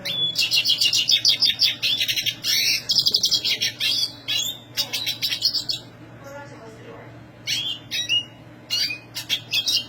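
A Black Siskin sings a fast, high, buzzy twittering song in rapid bursts with short pauses, and a faint low hum runs underneath.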